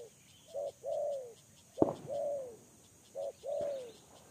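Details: Lure spotted dove gives three doubled coos: a short low note, then a longer arched note that falls away. A sharp click interrupts the middle phrase.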